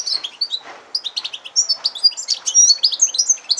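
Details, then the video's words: Yellow-fronted canary (Serinus mozambicus) x canary hybrid singing a fast, high, continuous and varied twittering song of chirps, trills and short whistles. "Serinus mozambicus x canary hybrid singing"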